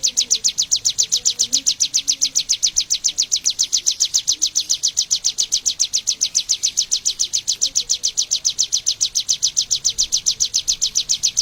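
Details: Song of the Bar-winged prinia, endemic to Indonesia: a long, unbroken run of rapid, evenly spaced high chirps, each note sliding down in pitch, continuing throughout.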